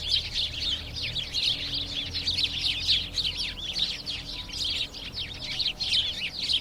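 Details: House sparrows chattering: a busy stream of sharp, high chirps and quick slurred notes overlapping without pause, like a noisy group, with faint low background rumble.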